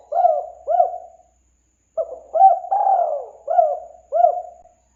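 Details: Spotted dove lure call: the end of one phrase with two hoots, then a full phrase of a clipped note, a rising hoot, a long coo and two more bouncing hoots. The setting is quiet.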